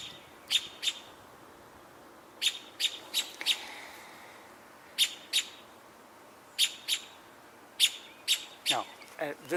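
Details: An American Robin vocalizing from above, with its target unclear, gives sharp, high chips in irregular pairs and short bursts, each a quick clicky note; a brief low sweep near the end may be a voice.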